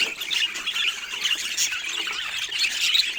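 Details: Colourful budgies of various mutations keep up a busy, overlapping chatter of sharp high chirps and scratchy squawks, steady in loudness throughout.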